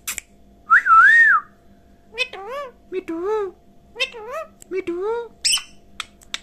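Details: Speaking parrot indoors: a sustained wavering whistle first, then a string of nasal, voice-like syllables with bending pitch, as in its repeated 'mitthu mitthu', and a short sharp squeak at the close.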